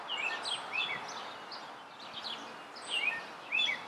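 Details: American robin singing from a tree, giving clear caroling phrases of short rising and falling whistled notes in bursts, with pauses between groups, over a constant hiss of background noise.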